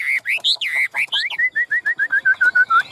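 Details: Chinese hwamei, a tame cage bird with yellow bill and legs and fanned tail, sings several loud rising whistles, then a rapid run of about a dozen short identical whistled notes.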